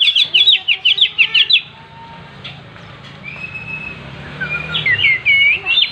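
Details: Oriental magpie-robin in gacor song while opening its tail: a quick series of high, buzzy, repeated notes, a pause with a drawn-out whistle, then more twisted whistled phrases.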